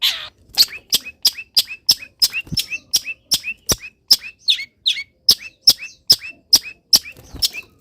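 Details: Long-tailed shrike in a cage, misted and set in the morning sun after uncovering, singing a varied song; rapid sharp clicks each followed by a short hooked whistle, repeated about twice a second for the whole stretch.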